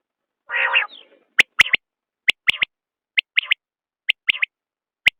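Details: Common quail: a rough nasal burst opens, followed by five ringing triple-note phrases, a sharp click-like note and a quick liquid pair, spaced roughly a second apart.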